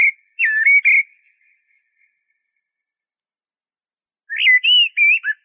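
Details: Blackbird singing clear, mellow whistled phrases of three or four warbling notes, then a pause before another rising, fluting phrase. A quiet, clean background.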